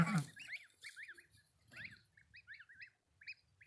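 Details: Goslings just after hatching give thin, high, arched peeps in quick runs of two or three, repeated steadily with short pauses, over a soft low rumble and a brief bump at the start.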